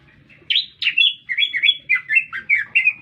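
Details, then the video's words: Energetic lesser green leafbird song heard in town: a chain of warbled, slurred notes that rise and fall, delivered in quick succession after two sharp opening notes. "Cicak Ijo Gacor Bikin Meledak Suasana"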